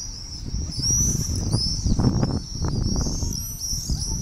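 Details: Common swifts screaming above an old town at 8 pm on 18 July 2017, a long summer evening; piercing high trills rise and fall in quick overlapping bursts over low background rumble and clatter.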